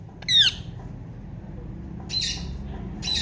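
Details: A female Indian ringneck parakeet gives three harsh, loud squawking chirps, the first strongest and sliding downward, the others raspier, over a low indoor hum.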